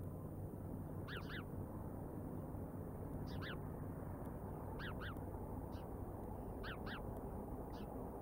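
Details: Bald eagles recorded by the Decorah live cam on the afternoon of 31 August 2022, calling in repeated clusters of two or three thin, high, piping chips every second or two, with a steady deep rumble of wind or traffic underneath.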